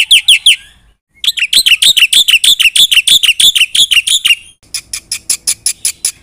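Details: Black-winged myna singing persistently with fill-in phrases, used to stir other birds into replying: a few shrill notes, a pause, then a long run of rapid harsh chips about three per second, ending in thinner ticking notes.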